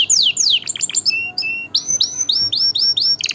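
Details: Canary song for tutoring chicks and readying pairs to breed: quick downslurred whistles and short chirps, followed by a steady run of repeated upslurred whistled notes.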